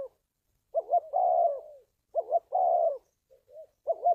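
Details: Spotted dove calls used to draw birds into a trap: paired quick notes leading into a long falling coo, repeated twice, with soft short notes between and a new phrase starting at the end.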